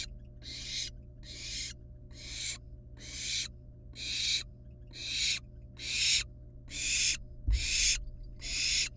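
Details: At the nest, wild barn owl nestlings with live rat prey give steady, rasping hisses. Each lasts about half a second and repeats roughly every 0.8 seconds in an even rhythm, with one soft knock near the end.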